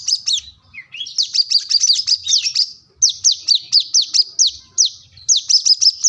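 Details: Plain-throated sunbird in lively song seeking a rival: groups of sharp, high downslurred notes repeated in quick phrases, with a short lower rising note between the groups.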